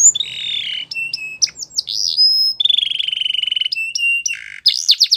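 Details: Belgian canary song for training: varied sequence of sustained whistled tones, short chips and slurs, a long rolling trill in the middle, then a burst of rapid bright notes at the end; faint low background hum.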